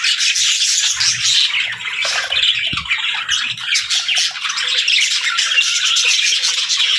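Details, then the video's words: Cheerful morning chirping from pet parakeets and lovebirds, a thick layer of shrill twitters and squawks running without pause for seven seconds. "Parakeet Morning Routine 🌞🦜 | Lovebirds Sounds for Lonely Birds 💛🐥"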